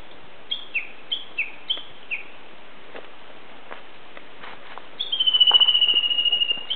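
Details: Japanese bush warbler singing unseen in fresh green mountains on 17 May 2010, song just short of the valley-crossing call: six quick descending whistled notes, a pause, then one long, steady, slightly falling high whistle.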